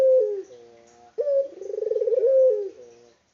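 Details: Unedited local spotted dove: one full coo with a sharp start, a quick vibrating trill and a sustained falling note, following the tail of an earlier phrase.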